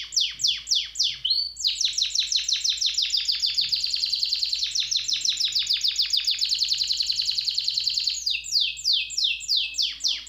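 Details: Singing canary delivering a long, fast, rolling trill of rapidly repeated high notes that runs for several seconds, opened and closed by slower descending slurred phrases, with a faint steady low hum behind.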